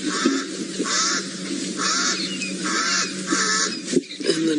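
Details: A pied crow, considered a pest in the game reserve, gives harsh, grating caws about one a second in a steady series near hyenas at a buffalo kill in Sabi Sand, South Africa, with a man talking throughout.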